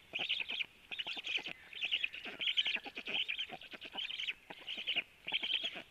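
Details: Male black stork feeding storklets at 12:01: a steady run of buzzy, high trilled bursts, roughly eight in six seconds, each followed by a short pause, with clicks underneath.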